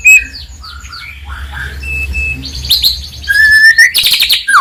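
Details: Medan white-rumped shama, a bird singing with a full repertoire of varied phrases to provoke rivals; soft mixed warbles and a steady whistle build into louder rising whistles and a rapid bright trill near the end.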